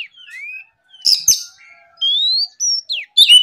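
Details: Morning Oriental magpie-robin song meant to goad rivals into singing: a soft rising whistle, a scratchy burst, then loud clear upslurred whistles, a descending slur and a final rasping note.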